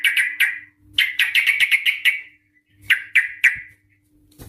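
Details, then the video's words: Female trucuk, the Yellow-vented bulbul, used as a lure so other birds sing long rolling phrases. A few sharp notes, then a rapid string of about ten bubbly chirps, then three more spaced calls; steady faint hum throughout. "TRUCUK gacor UPLIK NGEPRUL pancingan trucuk agar BUNYI, jadikan burung trucukan BUNYI ROPEL"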